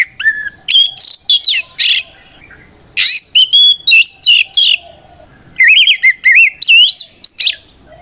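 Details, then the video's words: Kacer, or Oriental magpie-robin, singing a loud ngeplong fighting song used to challenge rivals and make other males reply. Bright whistled notes and sharp buzzy bursts come in three clusters, separated by brief pauses. "Suara Burung kacer gacor NGEPLONG tarung"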